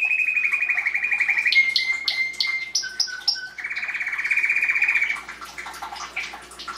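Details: Rolling canary song: long rapid trills alternate with short whistled notes and a pulsing low-high phrase, the bird singing steadily throughout.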